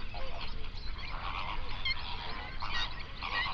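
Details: Flamingos by the hundred on a lake in an Overberg national park, South Africa, binaural recording around sunrise: bursts of honking calls rise and fall in loudness, a few sharp higher notes cutting through the crowded chorus.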